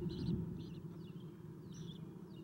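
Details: Owl nest camera, 7:04 am on 11 April 2016, as owlets are fed: a quick run of short, high hissy chitters and thin downslurred squeaks above a low electrical-sounding hum.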